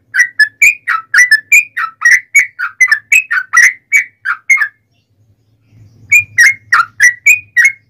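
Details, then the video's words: Yellow-vented bulbul in long rapid fighting song, used to trigger answering birds: a dense burst of lively, warbling whistled notes for almost five seconds, a short gap with a low hum, then the chattering phrase resumes. "KICAU SUARA trucukan gacor TARUNG ROPEL PANJANG"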